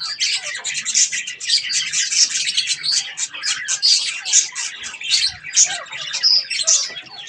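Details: Several budgerigars chatter while eating strawberries, a rapid, unbroken flow of high scratchy chirps and short whistled notes with occasional louder squawks.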